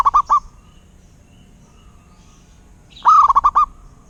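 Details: Local zebra dove (perkutut) song: a short burst of three quick cooing notes, a near-silent pause of about two and a half seconds, then a longer rising coo followed by a fast run of five clipped notes.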